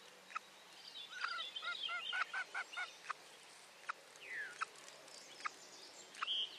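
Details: Female common loon alerting from her lake nest platform on 9 July 2023 during the hatching of her second chick, recorded by nest camera. A quick series of quavering pulses, then a falling slurred note and high chips from other birds.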